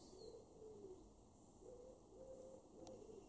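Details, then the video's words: A wood pigeon (Columba palumbus) in a garden in Weener, East Frisia, northwest Germany, in August 2023 gives soft, low, hooting coos in a steady series of phrases, with faint background hiss. "wood pigeon"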